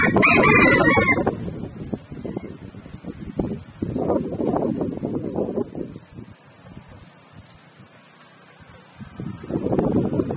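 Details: Wild chicken giving one loud, harsh call of about a second with strong harmonics at the start, followed by low, muffled bursts of clucking and rustling with quieter gaps between them.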